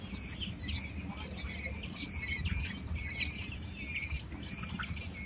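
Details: Several quail chicks eight days old chirp almost continuously, piercing high peeps crowding together, with a faint low rumble underneath.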